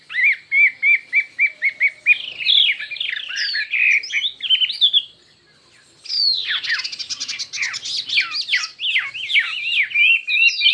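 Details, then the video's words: Chinese hwamei in a singing contest, many-voiced song: a steady series of about ten repeated whistled notes, then a rapid jumble of varied slurred phrases, a short pause, and another dense burst of loud mixed whistles and trills. "Hoạ Mi Hót Đấu Nhiều Giọng"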